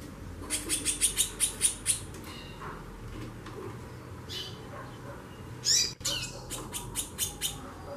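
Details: A female white-bellied seedeater (chorão) repeatedly gives xaxando chatter: a fast row of sharp high chips at the start, a scratchy burst near six seconds, then another quick run of chips over faint low hum.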